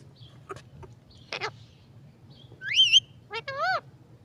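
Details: Talking parrot: soft clicks and a brief raspy burst, then a loud rising-and-falling whistled squawk followed by two quick harmonic chirps, over a low hum.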